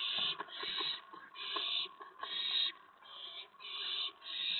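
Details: Evening at an owl nest, April 19, 2017, near 8 PM, with the parents bringing food for the owlets. Six rasping, hissy screeches come in an even series, each lasting about half a second.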